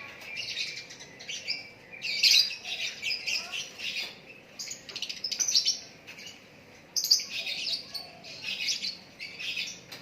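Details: White-rumped shama, called a Lakbet, in extended natural song: varied high whistles, trills and loud chattering bursts repeated over ten seconds, with a few sharp accented notes; a man speaks briefly afterward.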